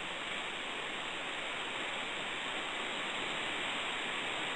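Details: Constant rushing hiss like flowing water or wind, with no animal calls.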